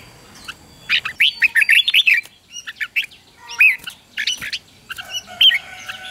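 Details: Red-whiskered bulbul morning song for training young birds: clusters of short, rich, rising whistled notes in quick bursts, separated by brief pauses, with a faint background hum.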